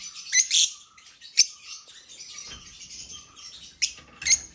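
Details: African lovebirds giving shrill, high chirps and squeaky calls in short bursts, with several sharp louder notes near the start and end and softer chatter between.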